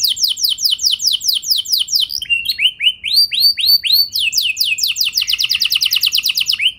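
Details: Singing canary used to make other canaries respond: repeated down-swept whistles, a burst of varied rising notes, then an extended fast, evenly pulsed trill near the end.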